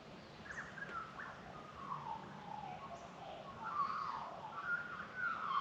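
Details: Australian magpies singing in the Australian bush in morning sunshine, welcoming the day; mellow warbling, fluty phrases wander and slide, growing louder toward the end, over a soft hiss of background noise.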